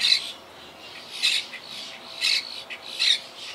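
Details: Wild Quaker parakeets, a colony living high in trees that was hit by hurricane Irma in 2017, give loud rasping squawks, four harsh bursts about one second apart over quiet background.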